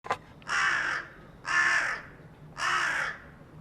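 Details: Carrion crow calling from atop a utility pole in a residential area, recorded on 4 February 2021: three harsh, hoarse caws, each about half a second long, spaced roughly one second apart, with a faint click at the start.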